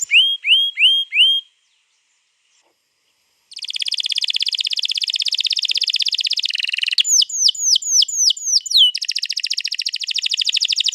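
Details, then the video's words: Canary in a long rolling song meant to prompt other canaries to sing, recorded 21 April 2022: a few sweeping whistled notes, a two-second gap, then extended rapid rolls and repeated falling whistles. "pancing burung kenari jadi ikut bunyi GACOR Ngerol Panjang"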